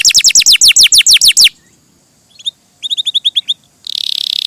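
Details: Canary song: a fast series of loud descending whistled sweeps, a pause, a softer run of short chirps, then a buzzy rapid trill at the end.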